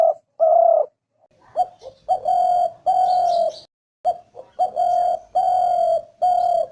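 A spotted dove gives soft, low, hollow coos in short runs, each note steady and mellow, the phrases coming roughly every two seconds with brief pauses between.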